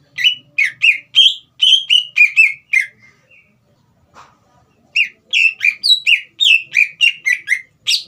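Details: Caged green leafbird singing to provoke a young bird: two long runs of rapid, loud, sharply slurred whistled notes, several per second, separated by a brief pause with a single soft click.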